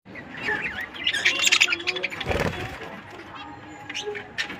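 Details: Hundred-pair budgerigar breeding colony: a flurry of warbling chirps and twittering notes from many birds, broken midway by a brief broadband rustle, then softer scattered chirps.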